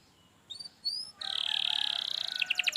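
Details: Brief canary song meant to prompt a reluctant singer: two thin rising whistles followed by a dense buzzy trill that breaks into quick pulses, over low background noise.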